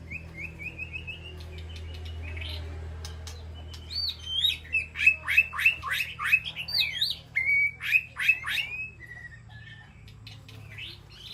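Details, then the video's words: White-rumped shama in an aviary calling to its flock: a thin rising whistled phrase, then a fast run of sharp downslurred notes and chirps, about three per second, with a low hum underneath. "Sound of White-rumped Shama Call to Flock"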